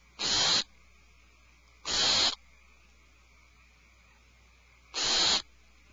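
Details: Owlets in a nest cavity screech in alarm: three rasping, hiss-like bursts, the first two close together and the third after a gap of nearly three seconds, with a faint constant hum between them.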